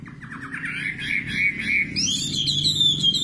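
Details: Singing nightingale: a short stuttered series of quick notes gives way to a long sliding whistle that climbs into a higher, sweeping phrase, over a low background rumble.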